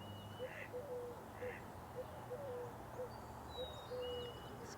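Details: Eurasian collared dove in a marsh-side tree on a May 4 morning: soft, low, hollow coos repeating in short phrases under steady hiss, with thin high whistles and chirps from other small birds.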